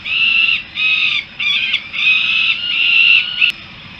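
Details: Harrisburg, USA: peregrine falcon juveniles back at the nest keep up a string of grating, wailing calls, some broken and rough, running almost without pause before ending with a sharp click.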